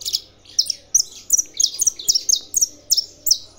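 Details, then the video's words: Saffron finch kept in a breeding aviary, singing with tournament sounds played as encouragement: a rapid string of bright, high, clipped chirps repeated about every third of a second, steady and energetic. "canário da terra cantando"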